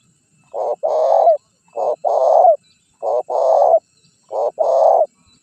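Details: Spotted dove calling on a decoy track used to bring in wild birds and trigger answering calls. Loud, close two-part coos, a short note then a long resonant one, repeat four times at a steady pace.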